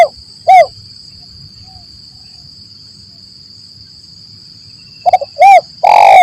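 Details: Spotted dove lure sound in 'lambung kuk 1 mersik' style for forest trapping: one coo at the start, a long quiet gap, then stuttering notes, a rounded coo and a drawn-out burry coo, over a faint continuous high-pitched whine.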